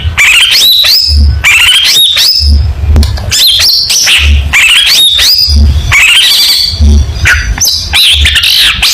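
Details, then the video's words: Long-tailed shrike delivering a rich competition song. Repeated phrases of rising whistled slurs and scratchy chatter come roughly every second, continuous and loud, over a low droning background hum. "Burung Cendet Gacor Full Tembakan Mewah Materi Lomba"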